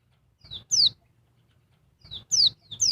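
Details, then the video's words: Female oriental white-eye calling noisily to agitate a male, giving short sharp descending whistled notes that sweep downward, in pairs and singles separated by pauses, with soft low rustling beneath. "Burung pleci betina ribut bikin jantan emosi"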